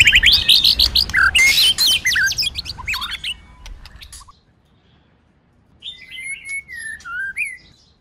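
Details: White-rumped shama, female calling to stimulate the male to sing; a dense noisy burst of chirps and whistles fades to silence, followed by a clear falling and rising whistled phrase.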